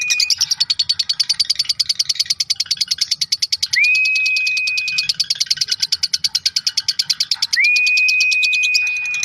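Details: Lovebird in a long-duration "ngekek" chattering performance, used as a master recording for training songbirds: a rapid, harsh, rattling chatter of high repeated notes, broken by two drawn-out rising whistles that level off into steady tones.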